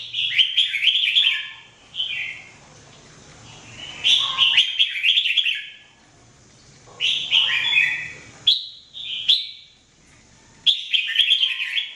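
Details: Red-whiskered bulbul, or jambul, a training bird that sings every day, repeating lively warbled phrases of bright rolling notes about every two to four seconds, with occasional soft lower notes and near-silent gaps between.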